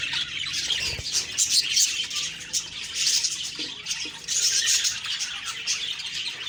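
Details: Morning budgerigar chirping, a dense high chatter of many small squeaky calls and warbles, with faint low knocking sounds in the background.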